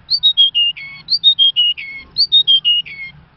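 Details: Lark, a caged Iranian Mashadi singing lark, sings a clear whistled phrase of about five downward-stepping notes, repeated three times in quick succession against a quiet low hum.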